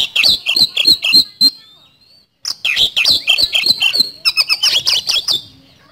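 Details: Kacer (Oriental magpie-robin) sings as lure song, fast and unbroken: strings of sharp ticking notes over high whistles, a short pause with one thin rising whistle, then a longer dense rattling run.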